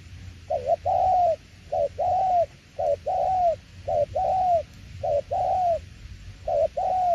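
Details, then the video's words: Rapid "tiểu liên nước" cooing from a spotted dove: about seven steady low phrases, each a quick short note then a sustained, slightly falling coo, following one another with little gap. "Đồng tiểu liên nước chơi quá hay luôn ae ơi"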